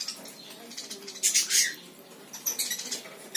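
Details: Lory parrot calling with two loud, harsh, high screeches close together, then a quieter pair of raspy notes near the end over faint background hiss.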